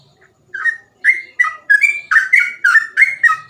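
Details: Sooty-headed bulbul in full rapid 'ropel' song, meant for tutoring or luring other bulbuls: a string of short whistled, slurred notes, rising and falling, about three per second, after a brief pause.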